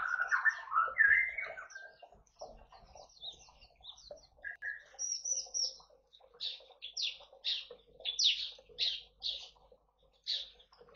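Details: Aviary-kept bar-winged prinia in East Kalimantan, Indonesia, in energetic 'tembakan' song alongside white-eyes and finches: soft mixed twitters, then a run of loud, evenly spaced, sharp high notes about half a second apart.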